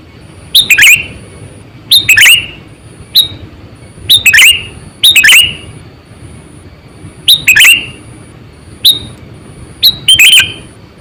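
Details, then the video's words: Decoy sooty-headed bulbul around 8 to 9 years old, kept for luring wild birds, calling loudly and busily: bright bubbly phrases of a few quick notes, some dropping in pitch, roughly every second, with a faint high electronic whine. "Suara Burung Kutilang Gacor,100%Suara kutilang Asli"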